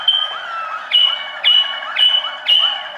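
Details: Waterslager canary with a rhythmic phrase repeated about every half second, each beginning with a bright accented note followed by a level whistled tone and soft lower curling notes.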